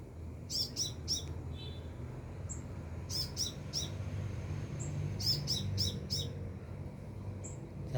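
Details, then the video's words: Sunbird calling from about three meters overhead: clustered, piercing high chirps in rapid sets of three to five, separated by brief gaps, with a steady low hum in the background. "Burung Kolibri gacor"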